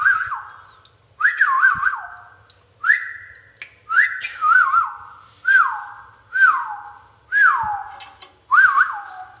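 A rose-ringed parakeet gives about eight clear whistled phrases, each rising then sliding down, repeated roughly every second. A faint room hum sits underneath.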